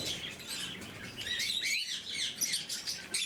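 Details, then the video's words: Blue-mutation lovebirds eating in the morning produce a steady stream of piercing chirps and slurred whistled squeaks, several birds calling together, a short lull near the middle. "Попуги неразлучники, утреннее кормление"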